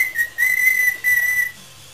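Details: Parrot at home in a singing mood, giving two long, steady, pure whistles, one after the other.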